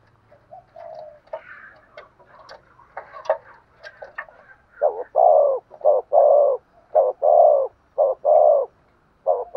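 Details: A decoy Spotted dove calling with a sharp voice, urgent cooing: soft low murmurs and clicks at first, then loud, deep, repeated coo notes in quick pairs and runs, close to one per second.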